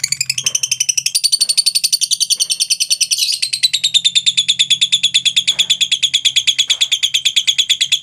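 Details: Lovebird giving its long trilling ngekek song, used to prompt other lovebirds: an unbroken, rapid, even chatter of high notes lasting the whole stretch, falling slightly in pitch, with a faint low hum behind.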